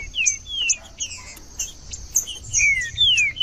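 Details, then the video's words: Green-winged saltator singing, meant to stir a non-singing 'cold' bird into song: repeated clear whistles sliding down in pitch, some short and some drawn out, spaced irregularly across the phrase against a low hiss. "ESQUENTAR TRINCA FERRO FRIO"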